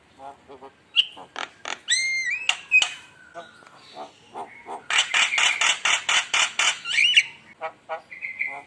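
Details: Javan myna lure recording meant to fire up rival birds: scattered clicks and short nasal notes, a few clear whistles, then a loud burst of rapid rasping chatter and a final thin whistle.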